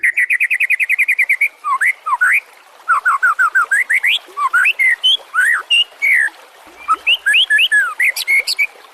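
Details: White-rumped shama song used as a master recording for training other songbirds: a rapid series of identical whistled notes, then varied rising and falling whistles and sharp upslurred phrases, delivered in quick bursts.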